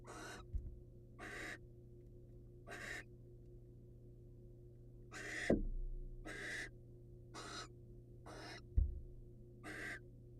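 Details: Barn owl prey presentation between a wild male and female: eight scratchy hissing screeches in irregular spacing, a silent stretch in the middle, and two sharp knocks.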